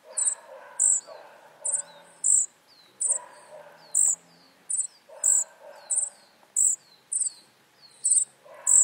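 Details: Flycatcher nestlings keep up a steady series of high, sibilant bursts, one or two per second, each often trailed by a short falling whistle. Quiet low background murmur throughout.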